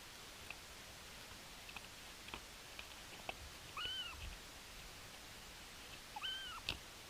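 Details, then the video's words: Bermuda petrel calling on Nonsuch Island, 13 April 2020: two separate drawn-out, arching wailing calls that rise then fall, about two seconds apart, over steady hiss and scattered faint clicks. "Petrel bermudzki 1 Nonsuch 13 04 2020 2"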